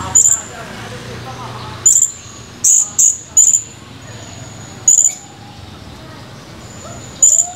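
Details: Male blue-crowned hanging parrot recorded on 17 July 2020, chirping busily: shrill, very high, clipped notes repeated at irregular intervals of about one to two seconds, some in close doubles, over a low background hum.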